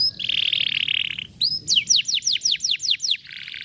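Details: Canary song intended to get a lazy canary singing: a sustained buzzy high rattle, a rising whistle, then a quick string of falling whistled notes ending in a softer trill.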